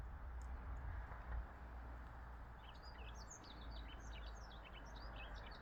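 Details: Yellow-throated bunting beginning a rapid, high-pitched twittering song about halfway through, a string of short, bouncing chirped notes over a steady deep hum of distant noise.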